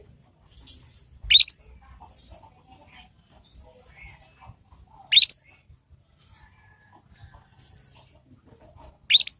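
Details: Juvenile Yorkshire-type canary learning its 'ngriwik' call, played as a lure so other canaries reply and pick up the sound; sharp rising chirps roughly every four seconds with faint high twitters in between, otherwise quiet.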